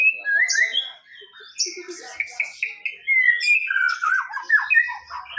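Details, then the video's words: A white-rumped shama, first-prize winner of a songbird contest, sings a flowing series of loud whistles, slurred notes and quick trilled flourishes, phrase after phrase without pause. "MURAI BATU JUARA 1"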